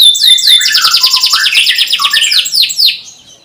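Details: Energetic canary singing a long cuit-cuit song, used as a lure for young birds: a loud, fast stream of high chirped notes merging into a rolling trill that fades at the end.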